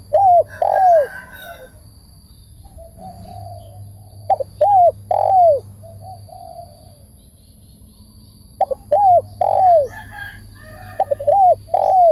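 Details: Spotted dove calling: groups of two to four soft, low, arched coos, each rising then falling, repeated in phrases with pauses between them, over a faint steady high electrical whine.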